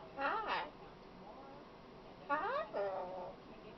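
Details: Talking female pet macaw gives two short bursts of speech-like syllables with rising and falling warbled tones, the second burst a double phrase. Quiet room between utterances.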